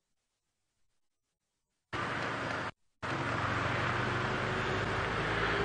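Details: Near silence for two seconds, then loud vehicle rumble that breaks off briefly and resumes; no animal calls.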